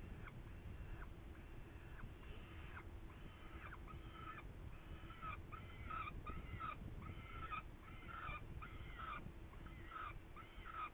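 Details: Pet parrot whistling in a happy mood: short clear whistles that slide up and down, a few brief phrases separated by pauses, along with rustling and scratchy noise bursts.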